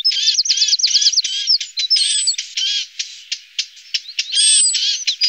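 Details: Lesser spotted woodpecker feeding its young: a quick string of looping high chirps opens a noisy chorus of harsh, buzzy squeaks and thin whistles, about two notes a second, several birds calling at once.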